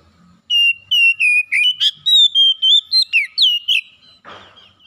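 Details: Oriental magpie-robin, a house-kept bird, singing a run of clear whistled notes held near one pitch, each lasting about a quarter second and repeated quickly for over three seconds, followed by a brief rough rustle.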